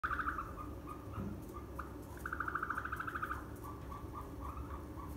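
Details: Farmed ostrich chicks at a ranch in northern Saitama, Japan, recorded 7 May 2020: rapid warbling trills in a mid-pitched band, one near the start and a longer burst mid-clip, between short chirps over low steady background rumble.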